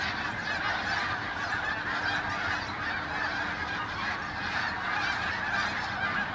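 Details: A large flock of Canada geese flying over Farnham early in the morning on 18 December 2015, honking together in a continuous, overlapping chorus of nasal, two-toned honks with no pauses.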